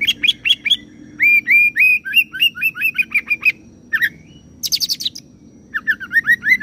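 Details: Oriental magpie-robin roll song imitating cililin and serindit: quick repeated hooked whistles in a steady run, a brief slurred note, a high buzzy ticking burst, then more rapid whistled chirps; low hum beneath.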